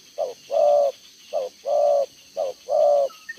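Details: Close, loud cooing of a decoy spotted dove with a double-row bead collar, 11 June 2023, in the 'đồng gáy 1 hậu' style. It gives three pairs, each a brief low coo and a long sustained coo, evenly spaced.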